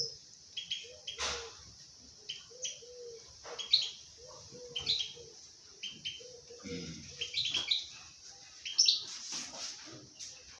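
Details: A pair of common bulbuls nesting indoors with two eggs, giving short, low, repeated chirping notes every second or so, mixed with sharp clicks and a steady high hiss behind.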